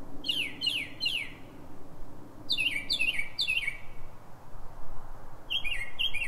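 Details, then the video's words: Northern mockingbird singing pre-dawn at 3:44 a.m. in Silver Spring, Maryland, USA: three repeated downslurred notes, then three longer falling whistles, then two short flat phrases, each motif repeated, over low hum. "Northern mockingbird (Mimus polyglottos) — night singing"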